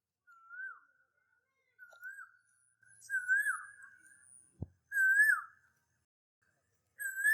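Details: An Asian koel, a common park bird whose sweet call signals the coming of spring, gives clear mellow whistled notes rising then falling about every 1.5 seconds, growing louder, with one sharp click midway.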